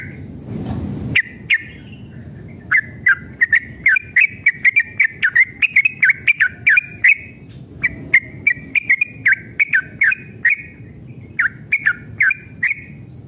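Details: Lure recording of a male yellow-vented bulbul singing long and fast 'ropel'. A brief rushing noise opens, then a sustained stream of bright, gurgling warbled notes in quick bursts with a short pause midway.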